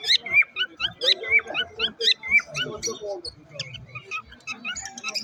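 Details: Parrot singing a strange song: dense chatter of quick high whistles, rising and falling notes and squeaks, with harsher lower chirps mixed in, pouring out several notes a second.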